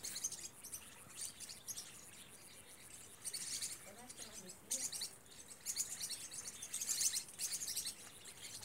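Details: Green-rumped parrotlets at the Vale do Rio Real give shrill, buzzy chatter in surging waves, loudest around the middle and end, with soft lower sounds and faint human voices beneath.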